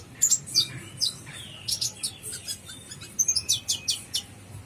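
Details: Kolibri ninja, the brown-throated sunbird, singing 'gacor full isian': clusters of very high, needle-like chirps broken by a brief sliding whistle, then a rapid run of four to five sharp notes near the end.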